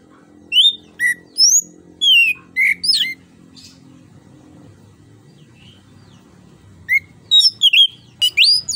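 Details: Orange-headed thrush singing to lure a silent bird into song: clear, slurred whistles rising and falling, delivered in a fast series, then a pause, and a second quick burst, over a low steady hum.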